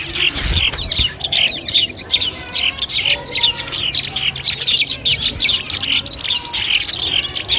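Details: Long-tailed shrike song collected as mastering audio to test a bird before a contest: long run of rapid descending squeaky notes and scratchy twitters, a few soft thumps near the start.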